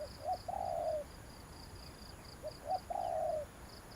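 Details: Quieter, more distant spotted dove lure call: two phrases, each short double notes then a long falling coo, over a hissy background with steady high ticking pulses.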